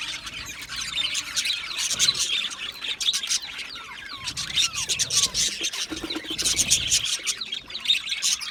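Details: Caged budgerigars chatter as a group in an aviary: fast high twitters and squawks, with a few short rising and falling whistled notes standing out.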